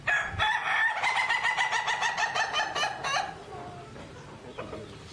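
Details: A rooster in Rayong, Thailand gives one loud, harsh, drawn-out crow lasting about three seconds, followed by a quieter stretch with a faint low cluck near the end.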